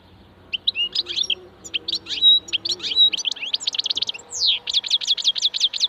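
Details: Song of a wild goldfinch, admired for its ringing 'rana': varied sweet twitters and chattered notes, a clear whistle or two, then a fast series of repeated high metallic notes near the end.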